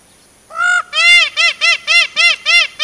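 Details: Peacock wandering in forest: one opening nasal call, then six quick, regular honking notes in rapid series.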